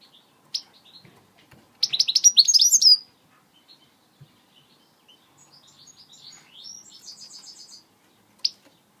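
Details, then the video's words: Switty song notes from a British goldfinch: an energetic, high, jangling burst of rapid twitters, then a quieter, evenly spaced series of thin buzzy notes, with a sharp single chip at each end. "Goldfinch singing switty song note"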